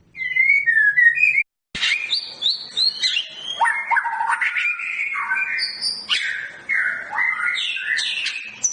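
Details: Long-tailed Medan white-rumped shama in a breeding pairing session: a soft warble, a brief silence, then loud, varied whistled phrases that jump between low and high notes in quick succession.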